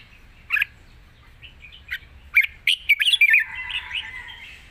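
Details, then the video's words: Red-whiskered bulbul singing a wild-style song with long phrases: a lone chirp, then a run of bright, quick warbled notes around the middle, ending in softer slurred whistles over a low hum. "เพลงป่าๆ สำนวนยาวปากเบา ฟังเพลิน#นกกรงหัวจุก"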